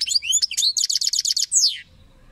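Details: Lively goldfinch phrase: ringing twitters give way to a fast series of about ten identical buzzy notes, ending in a sharp descending chirp, then silence.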